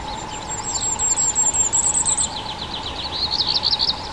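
A common firecrest gives very high, thin notes that quicken into a rapid rising series, over a steady low hum.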